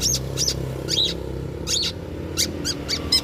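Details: Long-tailed shrike sound played as a lure to draw other birds into singing: scattered harsh, scratchy high notes spaced irregularly about half a second apart, over steady low rumbling background noise.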